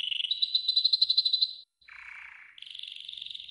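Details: Training song from a yellow golden canary: a fast pulsed high trill, a brief silence, a lower buzzy roll, then a steady higher rolling phrase.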